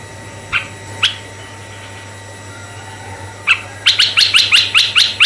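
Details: Red-eyed bulbul calling as a lure for male and female bulbuls: a few spaced single notes, then a fast even string of about eight bright sharp chirps over a low steady hum.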